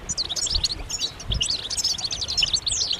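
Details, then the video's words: A chorus of European goldfinches gives mating and readiness twitters: rapid, overlapping high tinkling chirps and short slurred whistles, with a couple of soft low thuds. "بتبتات جماعية رهيبة للحسون فعالة في تحفيز الحسون على التغريد والهيجان"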